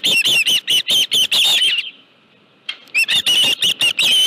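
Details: Nesting osprey with a live fish at a ranch in late July: rapid shrill piping chirps for almost two seconds, a quiet gap, then the high-pitched series resumes at the same quick pace.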